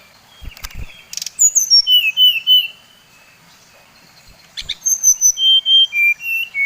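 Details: Bali brown-chested jungle flycatcher singing a lure song that angers rival birds: two bursts of clear falling whistles in stepped sequences, separated by a quiet pause, with a few clicks.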